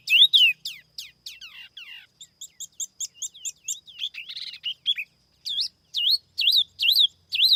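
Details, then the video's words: Silver-eared laughingthrush lure song, noise-free: loud looping whistles open, followed by a quick series of short ticking notes, a scratchy burst, then strong swinging whistled notes repeated about twice a second. "TIẾNG CHIM TIỂU MI MỒI KHÔNG TẠP ÂM CỰC CHUẨN"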